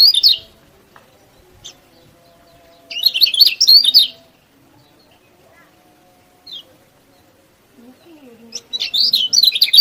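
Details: Song of a yellow-bellied prinia played to make lazy prinias sing: short, loud bursts of high, scratchy twittering with long silent gaps, a single faint note between them.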